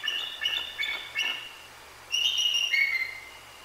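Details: A female Bald Eagle and her mate give a long run of agitated calls at night, 2 January 2024, after a Great Horned Owl's full hit on her perch. Rapid high chirping notes give way to longer, thin whistled squeals.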